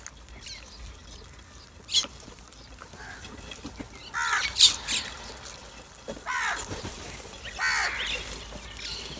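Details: Crows making loud calls: harsh, raspy squawks in short bursts near the middle and end, with quieter rustling and faint background noise between them.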